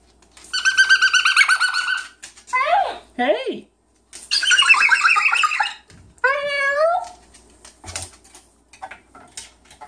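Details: Pet yellow-naped amazon parrot vocalizing indoors during a goofy evening: loud, harmonic-rich drawn-out calls, swooping downward slurs and a wavering voice-like phrase, separated by short silences, with a person talking between.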